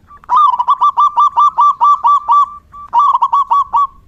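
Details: Zebra dove rainy-season song for therapy listening: a long rapid string of about eleven clipped cooing notes ending in a drawn-out tone, then a second, shorter string of similar notes.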